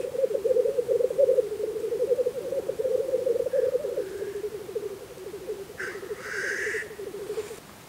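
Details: Black grouse at a spring lek in Russia: continuous low bubbling, cooing rumble throughout, with a few brief hissing, sneezing calls rising near the end.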